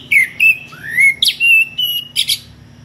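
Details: Kacer or magpie-robin singing ngeplong toward a rival: drawn-out clear whistles, one rising smoothly, others level, broken by short harsh bursts, all loud over a faint low hum.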